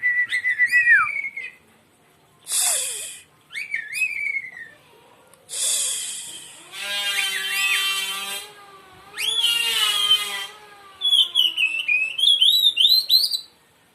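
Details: Oriental magpie-robin song for coaxing a reluctant bird to sing: varied whistles, down-slurred notes and loud rasping hisses, with a long vibrant burst near the middle and quick rising whistled phrases at the end.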